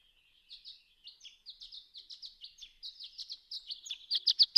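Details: Dawn song of a Violet-green Swallow flying in big circles high overhead in darkness before first light, near 2 a.m.: thin, high twittering notes in an irregular run, starting faint and growing louder toward the end.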